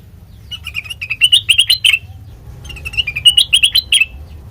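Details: Song of a sooty-headed bulbul used as a lure for training birds: two similar phrases of quick, rising chirpy notes, each lasting about a second and a half, separated by a brief pause; faint low hum behind.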